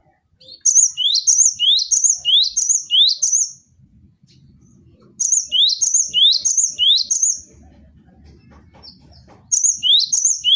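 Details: Training recording of a caged cinereous tit: three bursts of loud, rhythmic rising whistled notes, each about three per second, separated by quiet gaps with faint low murmur.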